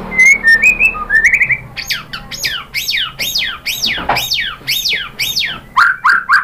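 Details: White-rumped shama song used to provoke other shamas into answering and singing: a few short clear whistles, then a run of steep falling sweeps repeated about twice a second, ending in three rich lower whistled notes.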